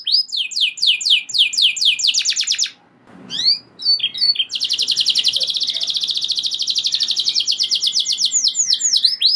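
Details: Canary singing energetic rolling song that sets other canaries singing: quick high sweeping notes, a brief pause, then a long steady buzzy roll held for several seconds with faint room noise.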